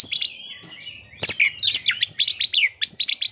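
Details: Captive white-rumped shama song used to raise breeding condition and aggression: a soft warble first, then loud repeated downslurred whistles with sharp chips, about three per second.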